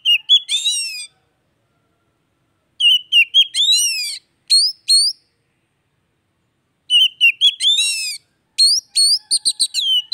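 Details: Oriental magpie-robin singing, meant to rouse a silent bird into song; bursts of mixed harsh chatter and bright rising whistles repeat about every three to four seconds, with quiet gaps between them.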